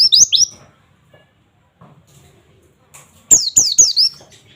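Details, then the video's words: Oriental white-eye (pleci) singing in the 'nembak' 'wit wit wit' style, played as training audio: a brief opening run of high, thin, falling whistles, a quiet gap, then another quick cluster of sharp descending notes. "terapi pleci bahan agar cepat bunyi nembak wit wit wit"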